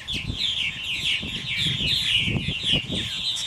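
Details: Purple martins returning to their houses at dusk chatter in a continuous overlapping chorus of gurgling, chirping notes from many birds, with low rumbling thumps underneath.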